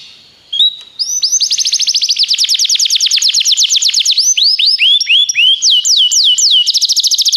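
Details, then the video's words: Belgian canary in song for training: a brief whistled note after near silence, then sustained rapid trills of sharp descending notes, breaking into slower rising and falling whistled loops. "o melhor som canário !! treinamento canário belga cantando"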